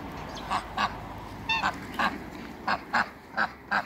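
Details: Female Muscovy ducks kept in a backyard alongside other waterbirds: short, harsh, nasal quacks, about nine in under four seconds, some in quick pairs, set against a low steady background rumble.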